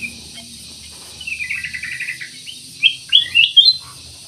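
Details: Ruby-throated bulbul, locally cucak emas or kutilang emas, singing persistently, used as a lure to prompt other birds to sing; a run of quick, even chirps is followed by louder, clear whistled notes that rise and fall.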